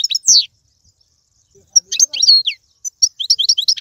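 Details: European goldfinch song played to stimulate a pet goldfinch to sing: bright, high twittering phrases in two bursts separated by a pause, with quick rising and falling notes and rapid trills.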